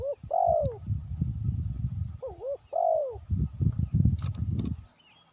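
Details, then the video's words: Spotted dove, a call meant for luring: two phrases of short rising notes and a long, smooth, falling coo, accompanied by heavy low rumbling and knocking sounds. "Suara Burung Tekukur Cocok Untuk Mikat"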